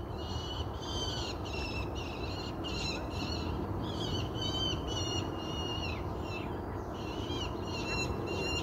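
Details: A peregrine falcon from a local family near a UK allotment gives a series of harsh, ringing calls, roughly one per second, over low wind or traffic rumble. It is just before 7 am on a Monday during the July 2022 heatwave.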